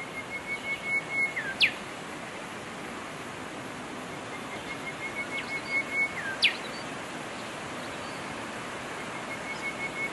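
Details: Golden whistler singing in the wild: a steady high whistle with a few short notes, ending in a sharp whip-like upslurred crack. The phrase comes twice about five seconds apart over a constant hissy background.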